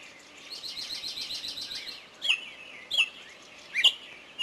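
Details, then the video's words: Forest birdsong with a quick run of high repeated notes followed by three loud, sharp descending chirps, each separated by under a second, against a soft background hiss. "Пение птиц в лесу"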